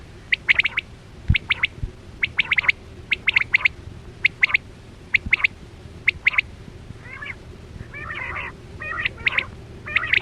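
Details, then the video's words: Quail lure call for 2024-25 net hunting: paired and tripled bright chips repeating roughly every second, ending in rougher rasping notes, with a steady low hum throughout. "Sound Of Chora Quail Batera"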